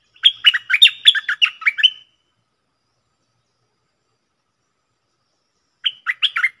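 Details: Red-whiskered bulbul used as a decoy bird: a two-second string of loud, liquid, warbling notes, a long silence, then a shorter burst of the same bouncing whistles.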